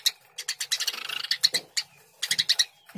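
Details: Dense, overlapping Eurasian tree sparrow chirping, quick scratchy notes crowding together in a near-continuous chatter before a short gap and a few final sharp chirps.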